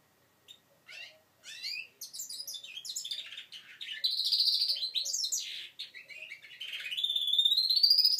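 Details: Juvenile goldfinch mule of five months practising song, beginning with isolated chirps that build into a fuller twittering warble and a drawn-out buzzy trill toward the close.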